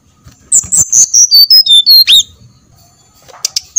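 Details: A single phrase from a brown-chested jungle flycatcher, meant as a singing lure: about eight pure whistled notes falling step by step from very high to lower, then silence and two brief sharp chips.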